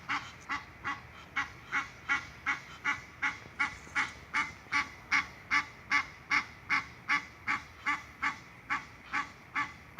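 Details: Egyptian goose (Alopochen aegyptiaca) in a canal at Wellington, Florida, huffing and honking madly: a steady run of harsh, huffing honks, about two or three a second, evenly repeated throughout.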